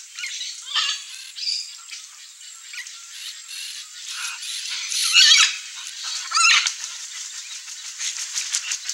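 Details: Peach-fronted parakeets feed together on food dropped from a feeder in Mato Grosso do Sul, Brazil. Grating, rattling chatter and sharp screeches come from several birds at once, rising in two louder bursts midway through.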